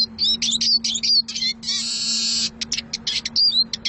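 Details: Eurasian siskin singing: high, thin twittering with sharp slurred whistles, then a long harsh buzzy wheeze near the middle, followed by more quick chirps, all over a faint steady low hum.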